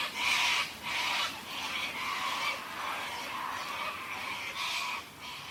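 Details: A flock of white cockatoos squawks in the morning as a storm arrives, with harsh, raspy screeches about one burst a second, overlapping one another, over a steady hiss of rain with thunder.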